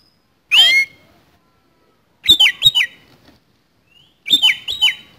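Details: Oriental magpie-robin in rough-filled fighting song: a sharp rising-falling note, then two clusters of quick doubled chirps sliding downward, separated by about two seconds of quiet.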